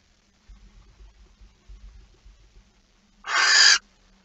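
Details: Barn owl male arriving with prey, a mouse, late on 15 September 2019. Soft low thumps and rumbling come first, then one sudden rasping screech of about half a second.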